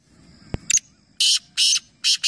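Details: Black francolin, one of three calling together in a calling competition at Nawabshah, Pakistan: a sharp click then three harsh, grating, buzzy notes in quick succession over faint low background hum.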